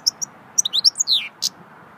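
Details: Goldfinch singing in the swittey song style: quick high chips, then a rapid twittering phrase of liquid notes gliding down in pitch, ending with one bright buzzy note, over a soft steady background hiss.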